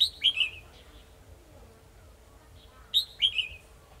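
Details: Trapping scene, 2 December 2020: a red-whiskered bulbul decoy sings to lure a rival, giving two loud bright phrases about three seconds apart, each a sharp high note dropping into a rolling slurred warble, with quiet low hum between.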